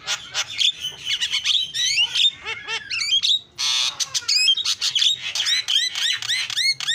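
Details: Vigorous mimic song of a Javan myna, with dense chattering whistles, arched slurred notes, harsh grating bursts and rapid clicks running almost without pause.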